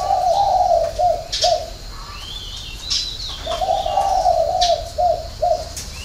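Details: Spotted dove cooing in the hậu 3 six-note style: a long, wavering low coo with short notes, a pause with a faint high whistle, then a second cooing phrase ending in clipped notes.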